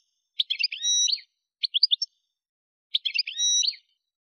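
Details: Algerian goldfinch recorded at Kef El Hammam near Souk Ahras, Algeria, singing short bursts of tinkling, twittering notes with a thin drawn-out whistle, in three phrases separated by brief pauses.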